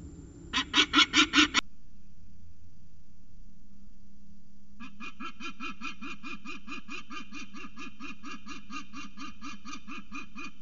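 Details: Peregrine falcon at Orange CSU coming home, honking, recorded 27 November 2019: bursts of harsh, rhythmic nasal calls repeated about two to three times per second, a short series, a pause, then a long steady run.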